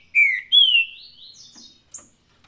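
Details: Two rich whistled notes from a green-winged saltator, the first falling and the second sliding down into a long thin warble, ending with a brief high chip, sung in the Paraná style.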